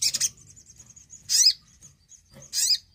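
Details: Javan cochoa singing actively, a lure recording for young or silent birds: three harsh bursts about a second apart, the pauses filled by a thin, wavering high whistle.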